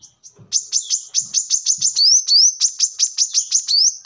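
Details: High-pitched song of a brown-throated sunbird used as a training model for birds: fast, steady string of thin chirps mixed with rising whistled slurs, about three notes per second.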